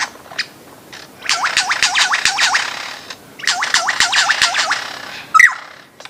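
A lyrebird sings two fast bursts of eight or so swooping whistles, each note dropping then rising, separated by scattered clicks and a sharp closing note.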